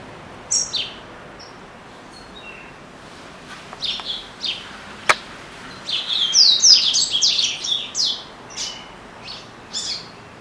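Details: A male captive Double-collared Seedeater, which sings all day and pauses only to eat, gives high thin notes building into a fast tumbling twitter, with one sharp click partway through.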